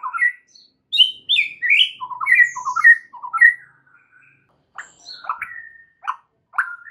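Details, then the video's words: Singing white-rumped shama delivering a fast run of bright, upslurred whistled notes, then sparser sharp chips and short whistles separated by brief pauses. "MASTERAN untuk Murai Batu Stress , dijmain langsung SEMBUH plus GACOR seketika"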